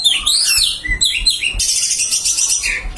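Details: White-breasted Oriental magpie-robin singing in the full isian style: rapid loud whistles, sweeping slurs and sharp chirps shifting abruptly between high and lower notes without pause.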